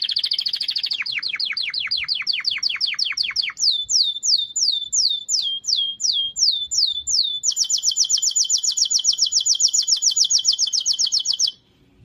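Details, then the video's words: Canary song in distinct tours: a fast trill, then descending sweeps, slower looping down-slurred whistles repeated about twice a second, and a long very rapid high rattle before stopping abruptly. "chant canaris تغريد الكناري singing canary"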